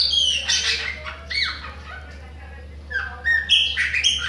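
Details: A Chopi blackbird from Bahia sings without stopping, giving loud, varied phrases of clear whistles and harsh squawky notes, some rising and some falling, over a steady low hum.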